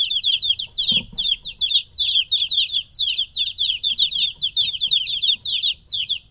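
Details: A group of young chicks about three weeks old, separated from the hen, give rapid high falling peeps about two to three per second, overlapping in uneven bursts.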